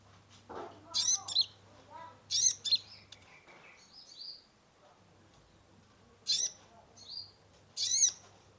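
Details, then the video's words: Kolibri ninja sunbird in a cage, used as a lure for a stressed bird: clusters of sharp, harsh high chips in short bursts separated by pauses, with faint background noise and low hum. "Terapi pancingan konin gacor full isian mengatasi burung stress"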